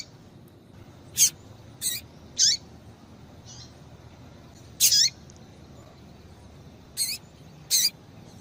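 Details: Female Rusty-collared seedeater calling to warm up a male into singing; irregular series of brief, high, sharp chips, some in quick pairs, with a soft faint note between.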